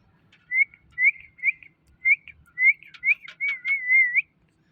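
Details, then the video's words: Pet green parrot giving a run of short, clear whistled notes, each rising then flattening, about eight in four seconds, ending in a longer wavering warble; quiet room with faint low background hum. "Green Parrot Talking"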